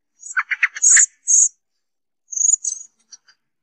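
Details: Common blackbird song played as a hunting lure: a quick burst of clipped chattering notes with shrill high squeaks, a short gap, then another thin squeaky phrase that fades into faint ticks.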